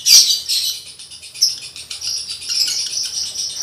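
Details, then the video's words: Breeding-condition male lovebird used to coach other males at home, delivering a continuous shrill, buzzy chatter of fast squeaky notes, sharper chirps standing out near the start and again midway. "Masteran Lovebird jantan birahi bunyi"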